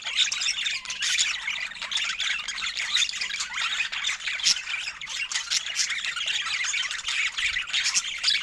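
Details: A group of budgerigars, filmed in natural Nordic light and happy over fresh food, fill the air with dense, rapid, scratchy warbling and squeaky chirps throughout, without pauses.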